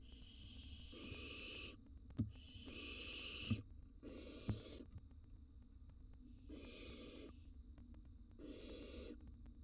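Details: Wild barn owl chicks in a nest box during feeding, swallowing a gerbil and mouse. Five rasping, breathy hisses come in bursts of about a second, with soft knocks and a low background hum.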